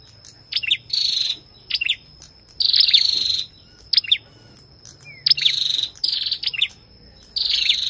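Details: Male and female Ashy tailorbird together: dry buzzy trills lasting about half a second interspersed with quick sharp double chips, in an irregular series; a faint constant high whine in the background.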